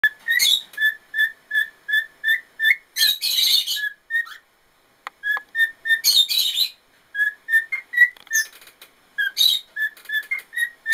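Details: 13-year-old male white-faced cockatiel singing: a run of clear, repeated whistles broken by brief buzzy chatter.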